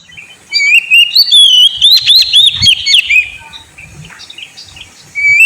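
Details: Caged Oriental magpie-robin singing to lure a sulking bird into song: a loud, rich phrase of rapid whistled notes and sliding trills, with brief buzzy elements, followed by a quiet pause and a new rising whistle.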